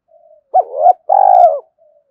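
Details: A spotted dove coos to rouse wild doves. A brief rising note swells, then a long, deep, pulsing coo fades out, with soft low murmurs before and after.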